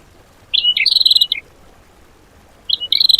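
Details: Songbird used as fill-in song material for training cage birds, in the 'tembakan' style; two bursts of high, rapid chattering notes with a short trill between them, separated by about a second of quiet.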